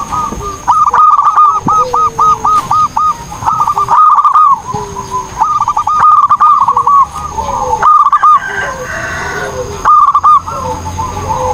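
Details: Actively singing zebra dove for training other birds: repeated bursts of rapid, staccato, hooked coos, each phrase lasting about a second with short gaps, a lower sliding note between phrases, and a steady faint high whine throughout.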